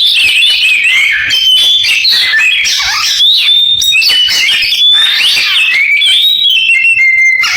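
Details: Oriental magpie-robin song mimicking a canary, a dense unbroken stream of high chirps, slurred whistles and rolling trills that shift pitch constantly, with no pauses.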